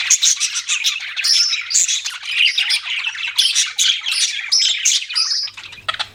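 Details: Pet budgies chatter in rapid chirps and squawks with bright whistled notes, the calling thinning out and ending near the close.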